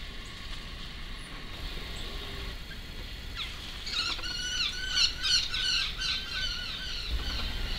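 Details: Guira cuckoos hunting insects give a burst of shrill, squealing calls, several overlapping in quick succession, over a steady low rumble of outdoor noise.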